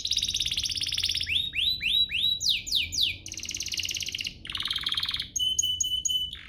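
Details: Canary singing to provoke rival canaries into song, with a bright trill, swooping upward-curving whistles, falling slides, dense rolls and a closing series of clear repeated whistles.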